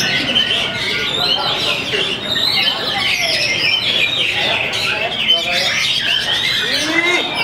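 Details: Caged Oriental magpie-robin on a contest hanging pole, calmly performing and unloading its repertoire of learned phrases; dense, fast whistled and chattering notes at high pitch run without pause, with other birds and voices mixed in.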